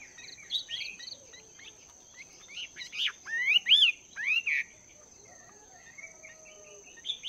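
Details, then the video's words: A wild-caught Chinese hwamei, two months in a cage, practises its song in the morning. Scattered soft twitters give way to a burst of loud, sweeping, rising and falling whistles midway, then quieter notes, with a constant high electrical whine. "Chim Hoạ Mi Mộc VIP 2 Tháng Lồng Luyện Giọng"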